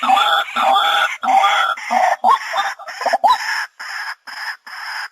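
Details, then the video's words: White-breasted waterhen calls used as a lure: loud, harsh, nasal squawks repeated about every half second, several notes with a hoarse rising twist, then shorter clipped notes at a steady pace. "Tiếng Chim Cuốc Chuẩn"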